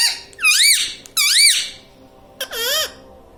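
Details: Indoor pet parrot talking, saying "mummy papa": three loud, squeaky arched syllables, each rising then falling in pitch, the last one lower and shorter, with short silent gaps between them in a small room.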